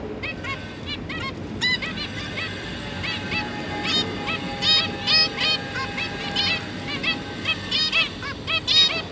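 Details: Nasal, trumpet-like beeps from zebra finches, a pair busy feeding three juvenile babies, recorded 1 October 2022; calls come in scattered runs, loudest toward the end, over a faint steady hum.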